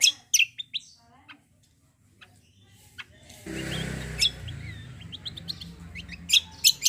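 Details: Singing cucak kombo used as a lure for other birds to sing; scattered sharp high chips, then a burst of broadband noise beneath continuing loud piercing notes and short twittered phrases.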